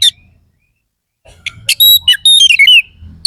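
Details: Kacer, an Oriental magpie-robin, singing harsh fill-in material after a quiet start: a few sharp clicks, then high thin whistles and a quick descending trilled phrase, with low background hum.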